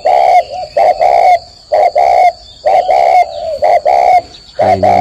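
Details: Spotted dove cooing in the morning during a long bout counted at 45 coos, deep hollow coos given in paired and tripled phrases about once a second, with a steady faint high whine throughout.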